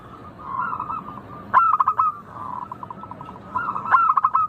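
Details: Zebra dove song, local type: soft rolling trills swell up and then break into crisp, rapid bursts of ringing coo notes. The pattern repeats twice.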